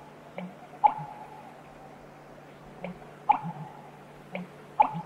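An American bittern gives deep gulping notes, each followed by a sharper knocking sound, in pairs about every two seconds over a steady low hum.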